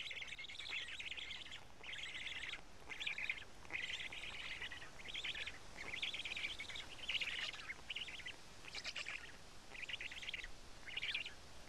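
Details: At Karula on 31 May 2017 just after noon, a black stork family feeds on fish at the nest; short raspy buzzing bursts repeat about once a second in a steady, even series.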